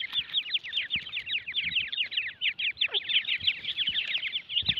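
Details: Francolin chicks producing a busy chorus of shrill, rapid cheeps, the thin notes crowding together continuously, plus one longer downward-sliding call midway.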